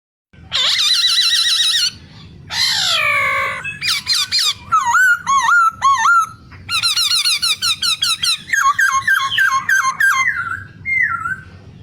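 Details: White-browed scimitar babbler, a small bird, giving loud harsh squeals followed by rapid runs of wavering, nasal squeaky notes in quick bursts, with a brief pause between series; no other clear sounds.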